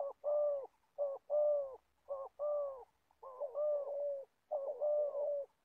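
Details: Old decoy spotted dove kept for trapping wild birds in Gia Lai, Vietnam, giving a clear, mellow cooing phrase: a brief coo followed by a longer drawn-out one, repeated five times with short pauses.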